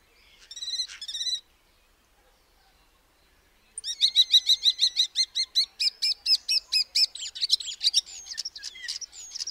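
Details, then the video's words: Common starling giving a brief burst of buzzy chatter, then after a pause a fast run of clicking, whistled notes and rising squeaks, about two per second. "Starling sound"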